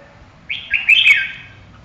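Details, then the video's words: Red-whiskered bulbul delivering a single loud, rich phrase of rapid slurred whistles lasting under a second, rising then falling, against a clean, quiet background. "Kênh về chim Chào mào"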